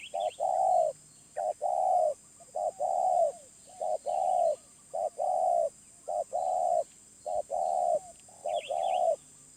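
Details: Wild spotted dove with a medium voice delivering a steady series of hollow coos: short notes paired with longer, rounded ones, repeated almost once a second. Light chirps from other birds are heard now and then.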